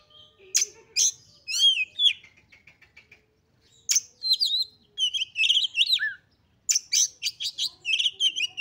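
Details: Female kacer, the oriental magpie-robin, used as a lure for males. Varied phrases of sharp chips, sweeping whistles and soft repeated notes, then a dense run of quick chattering and whistled notes.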